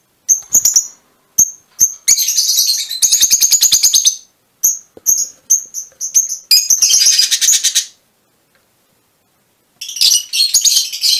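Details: A lively exchange from mutation Fischer's lovebirds. Scattered sharp chirps alternate with rapid rattling chatter bursts lasting one to two seconds. A quiet gap of almost two seconds is followed by renewed dense, harsh chattering.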